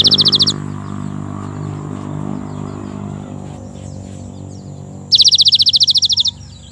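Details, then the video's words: Cinereous tit song used as a lure for other tits: two fast bursts of sharp, high repeated chirps, one at the start and one near the end, over a steady low hum. "suara gelatik Gacor pagi siang sore pancingan khusus gelatik batu"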